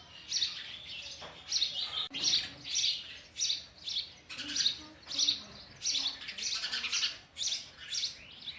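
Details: A sparrow tries to feed its chicks oversized food as they call insistently: bright, buzzy chirps in pulsing bursts well over once per second, irregular in timing, continuing without pause.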